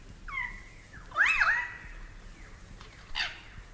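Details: Superb Lyrebird from a collection of Australian bird recordings: varied whistled phrases, a rising slur followed by a loud wavering, looping whistle, then quieter pause and a brief harsh burst at the end.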